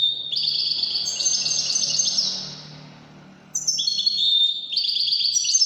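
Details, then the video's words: A Widani European goldfinch delivers Moroccan Widani song, a sustained run of high, silvery twittering notes that fades into a pause before a second bright burst of rapid tinkling trills. "الحسون الويداني الملك الذي يستحق استماع وتمتع في ادائه في التغاريد الويدانية المغربية"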